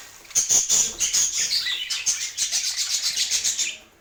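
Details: Budgies tasting healthy food, with a loud series of high, bright chirps repeated about four times a second, joined by a descending warble before the sequence stops abruptly.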